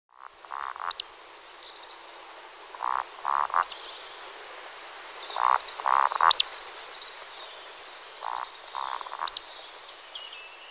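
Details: Roding flight of two male Eurasian woodcocks: rhythmic low grunting croaks arranged in short clusters, alternating with piercing high-pitched squeaks, about four cycles in under eleven seconds.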